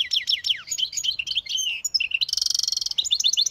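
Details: Hybrid songbird singing: a rapid, varied run of high whistled and twittering notes with downward slurs, then a dense buzzy trill near the end and a few more quick chirps.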